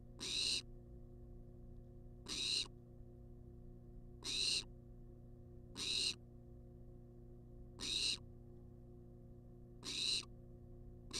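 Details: Barn owl begging for food in a wild nest box under camera watch; six rasping, broadband hisses, each about half a second long, repeated about every two seconds against a constant low hum.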